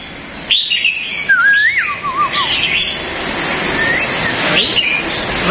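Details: White-rumped shama (Copsychus malabaricus) singing in a cage bird shop: rich, fluid whistled phrases sliding up and down, with chirps from other birds and faint voices in the background.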